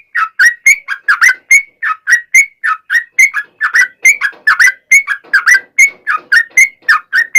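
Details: Sooty-headed bulbul in full long 'ropel' song, a lure to provoke other bulbuls into answering: steady chain of bubbly, slurred whistles running for seven seconds at about three notes a second, clean and unbroken.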